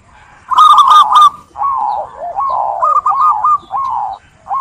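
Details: Local zebra dove in full song, encouraging others to sing along: a long, flowing run of quick warbled coos that rise and fall, then a second bubbling phrase after a brief dip.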